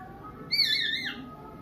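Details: Oriental magpie-robin giving a single short wailing note likened to a crying child, harsh and layered with overtones, holding level before dropping sharply at the end.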